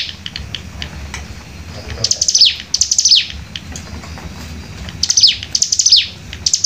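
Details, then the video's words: Hill prinia (cigun) singing in the rapid 'nembak rapat' style: bursts of very high, sharp, descending buzzy chirps in quick rattling series, separated by short pauses, over faint low background hum. "cigun nembak rapat"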